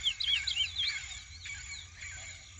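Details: Lesser seed-finch in its first moult to black plumage, giving a quick run of bright, twisting whistled notes that fade into softer calls, over a steady high hum.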